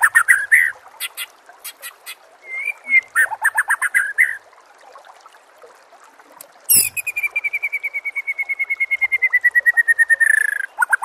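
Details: White-rumped shama song used as masteran for captive birds: scattered chirps and a brief whistle, a quiet gap, then a sharp note launching a long, fast, evenly repeated trill that slowly falls.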